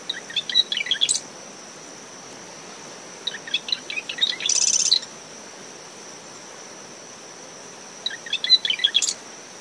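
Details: Marsh wren singing in early morning from dune shrubs around its nest, after tropical depression Claudette, with brisk wind. Three songs: scratchy introductory notes, one a dense buzzing rattle. A steady high cricket tone runs throughout over wind and waves.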